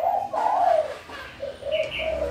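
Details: Spotted dove (Spilopelia chinensis) in breeding condition gives low, soft coos, one drawn-out note then three short ones about every quarter second. This is a rival call given when a rival starts approaching, distinct from the long-distance luring coo. A faint higher chirp is also heard.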